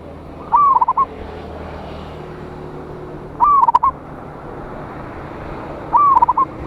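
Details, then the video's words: Zebra dove of a local strain, loud and in full voice, calling out rivals. Three bursts of rapid, staccato cooing notes arrive about every three seconds. Each burst starts with a crisp note and trails off, against constant broadband noise. "Perkutut Lokal GACOR suara Besar Ampuh memanggil Lawan"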